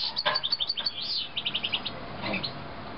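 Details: Rapid run of high, short chirps from young 2009 canaries, about a dozen pulsed notes, a brief drawn-out whistle in the middle, then a few softer calls over background hiss.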